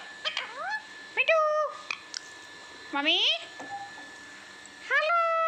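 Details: Talking parrot giving clear whistled phrases with sweeping, rising and gliding tones rich in overtones, several spaced utterances over a constant electrical hum in a room.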